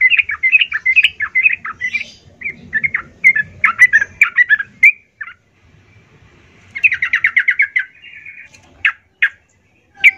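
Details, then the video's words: Lively yellow-vented bulbul song serving as a lure for rival bulbuls: jumbled, gurgling notes, then a quick string of rhythmic chirps, with a few isolated sharp notes at the end. "Suara trucukan gacor mengecoh Lawan ini ampuh sebagai pancingan trucukan agar bunyi"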